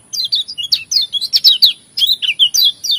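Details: Lemon-bellied white-eye, pleci lombok, singing a varied song with imitated phrases of other songbirds: rapid high chirps and short whistled slurs in quick bursts, a brief pause, then more notes; a steady high tone runs throughout.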